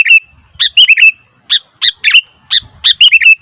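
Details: Noisy bulbul chatter from a sooty-headed bulbul: a string of bright, bubbly three- and four-note phrases, each with quick rising and falling slurs, separated by brief gaps.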